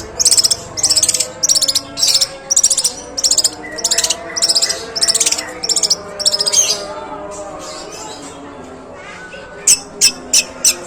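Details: Long-tailed shrike singing long, harsh imitations of sparrow calls: a run of loud, rasping chattered bursts repeated roughly every half second for seven seconds, a pause, then four sharp clicks.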